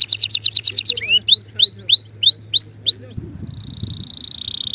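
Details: Male canary singing: a quick high trill, then rising whistled slurs about three per second, ending in a long high buzzy roll, over a faint steady low hum.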